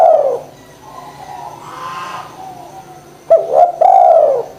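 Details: Spotted dove calling, used to lure lazy doves into cooing: the end of one falling coo, a pause with faint background chatter, then a new phrase of clipped notes and a long arching coo.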